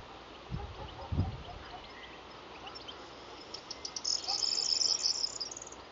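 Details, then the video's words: Corn bunting at Krapetz, Bulgaria, 15 June 2011, giving a high, dry, jangling run of rapid ticks speeding into a glassy rattle, after low wind thumps; a Golden Oriole's fluted whistle sounds between its songs. "Vocalizing Corn Bunting"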